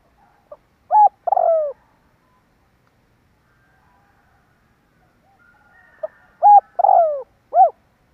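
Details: Spotted dove call played to lure birds in: two phrases several seconds apart, each with soft clipped coos and a longer downward-sliding note. Silence fills the gap between the phrases.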